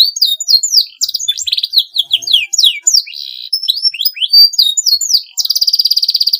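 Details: Canary singing a long, continuous song meant to provoke rivals into singing: rapid trills, sweeping whistled notes and buzzy phrases, ending in a fast even rattle.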